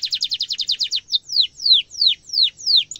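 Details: Canary song used to train young birds: a fast trill of repeated notes lasting one second, then a series of loud descending whistles roughly every third of a second, in a quiet background.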